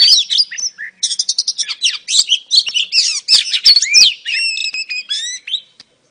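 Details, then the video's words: Female oriental magpie-robin calling to lure a male into singing: a rapid, varied run of high chirps, whistled slurs and buzzy notes, then clear repeated whistles near the end, with no other sounds. "KICAU KACER BETINA AMPUH PANCING KACER JANTAN LANGSUNG GACOR"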